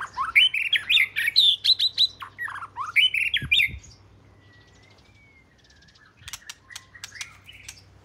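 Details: Oriental magpie-robin, the first of its kind at the home, southern Thailand: loud varied whistled phrases with rising and falling notes, then a pause with a faint long thin whistle, then sharp clicking chips and short whistles.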